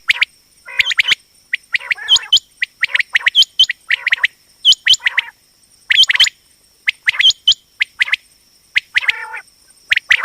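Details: Common quail female calls, a sound for quail hunting and trapping: rapid clusters of sharp clicking notes and hooked whistles, broken by harsh nasal buzzes, steady throughout with a faint continuous electronic tone.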